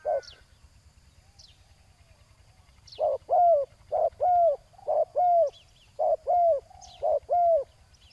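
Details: Spotted dove at a ground decoy set to lure a rival. After a quiet start, paired coos begin: a short hoot, then a longer bent, falling note, repeated steadily. Thin high chirps of small birds are scattered throughout.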